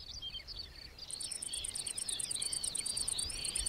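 A Eurasian skylark pours out a continuous, fast, high warbling song of chirps and trills, with a steady high-pitched insect ticking behind it.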